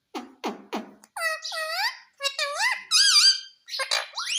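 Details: Pet parrot in a small room mimicking the word "mummy": three short breathy clicks, then a run of harmonic, voice-like syllables that bend up and down, ending in a rising squeak.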